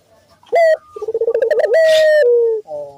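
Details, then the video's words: Energetic Barbary dove cooing as bait to trigger other doves: brief sharp note, quick series of throbbing pulses, then a steady held coo that drops slightly near its end before a short tail note. "pancingan burung puter gacor,bikin puter lain ikut bunyi"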